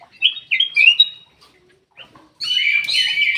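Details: Song of a Ruby-throated bulbul used to lure lazy caged birds into singing. Short slurred whistles and chirps are followed by a longer, richer warbling phrase.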